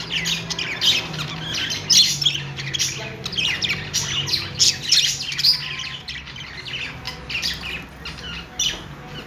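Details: Happy budgies chattering together: continuous overlapping chirps, buzzy warbles and sharp squawks in quick bursts, steady throughout, with a low background hum.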